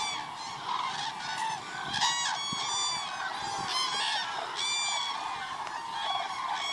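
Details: At Agamon Hula (Hula Lake), Israel, on 30 December 2014, a large flock of cranes calls constantly, with loud rolling trumpeting notes overlapping in a steady chorus and no pauses.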